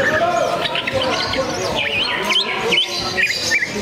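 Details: Greater green leafbird (Chloropsis sonnerati) at a songbird contest event, competing while spreading its tail, pours out a fast, varied run of sharp chirps and slurred whistles, with other birds and faint voices behind.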